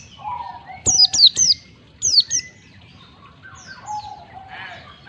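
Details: Recorded as a lure to get caged white-eyes singing: clusters of piercing downward-slurred notes, two sets close together, then quieter falling whistles and a low steady tone.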